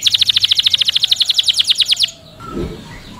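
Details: Canary delivering a fast, regular trill of sharp repeated notes for about two seconds, then falling silent, leaving faint low background noise.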